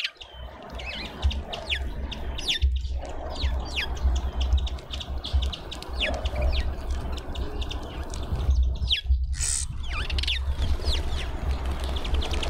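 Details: Cape white-eye at a feeder in a suburban garden in Pretoria, South Africa, hungry and repeatedly returning; many short, high, downward-slurred chirps come in quick, irregular succession throughout, over a low steady background rumble.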